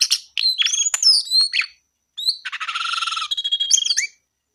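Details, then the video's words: Brown-eared bulbul in loud bursts of sweeping whistles and harsh chatter, then after a short silence a fast buzzy rattling phrase ending in a rising whistle. "KICAU JONGKANGAN COKLAT GACOR TELER"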